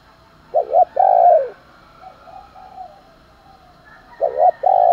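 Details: Spotted dove coo meant to spur fighting and morning calling: loud short double note and long falling coo, softer coos in between, then the loud phrase starts again; steady low background hum.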